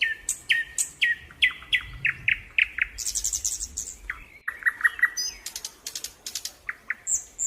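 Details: Birds chirping in a natural setting, with sharp repeated chirps and downslurred whistles, a high buzzy note near the middle, and many clipped notes throughout.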